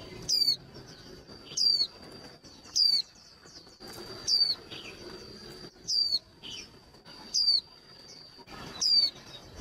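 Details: Female white-eye used to spark male birds into fast contest singing, delivering sharp downward-sliding whistled notes about every 1.2 seconds, over a steady high whine and scattered soft chirps and rustles.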